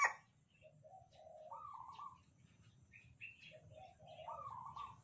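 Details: Caged Sumatran Red Junglefowl, hand-raised from a day-old chick, crowing alternately with cagemates. Two short, stepped crows rise through clipped syllables to a higher drawn-out end, with small high chirps between and steady low background hum.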